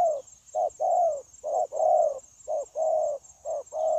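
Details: Freshly caught spotted dove, 9 January 2024, cooing in a linked, continuous way; four low coo pairs, each a short note followed by a longer rounded one, over steady hiss.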